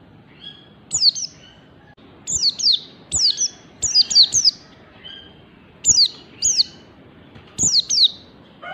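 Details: Fast 'ngalas' singing from a learning white-eye: repeated groups of crisp, high-pitched descending tweets, two or three per burst, delivered at an irregular quick tempo.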